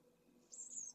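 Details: A pallid swift at a nest in Jerez de la Frontera, Spain, in 2022, where eggs were laid in May and chicks hatched late in the month, gives one high, thin, buzzy call of about half a second over a faint low hum.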